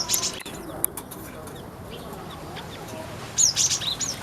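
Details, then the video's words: Weaver, a new resident of a small home aviary, recorded 27 October 2024: after a few seconds of quiet background hiss, a quick burst of high, sharp, thin chirps and squeaky whistled notes closes the recording. "Burung Manyar Penghuni Baru Aviary"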